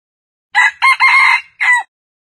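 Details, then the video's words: A red junglefowl (wild chicken) gives a short, clipped crow: four hoarse, ringing syllables in just over a second, the last cut off abruptly, with no other sounds. "Jungle Fowl Sounds ( wild chicken)"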